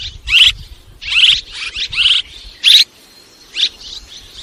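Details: Barn swallow giving clusters of sharp, buzzy twitters, some doubled or tripled in quick succession, then a pause and softer, fainter chirps; low background rumble early on.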